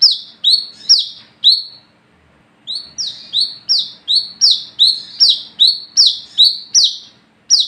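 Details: Olive-backed sunbird, locally kolibri kelapa, singing at night as a lure for other sunbirds; a burst of high falling whistled notes, a pause of about a second, then a fast steady series of similar notes.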